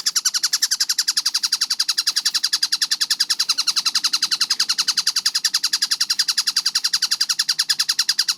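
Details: Fast, clear-voiced tengkek buto kingfisher recording made for training. Scratchy, evenly spaced notes pour out at a brisk rate of about three and a half per second, very regular from start to finish.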